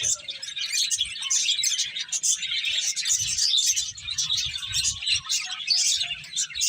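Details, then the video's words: Several finches chirping while eating: a dense, continuous chatter of short high twittering notes overlapping throughout, with faint low rustling beneath. "Cute Finches Chirping Sounds"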